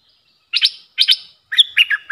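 Streak-eared bulbul giving quick paired chirps, then a run of bright, bubbling warbled notes, all high and clear with no other sounds.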